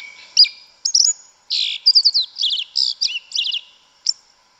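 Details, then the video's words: Yellow-legged thrush singing in the forest, a wild-style 'canto mateiro' song: varied high whistled and chirped phrases, some rapid trilled notes, broken by short pauses. "Sabiá Una cantando no mato. Lindo canto mateiro da sabiá preta"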